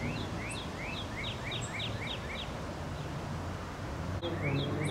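A common yellowthroat sings a quick, bright phrase of repeated rolling notes, pausing and starting again, over a steady low rumble of background noise.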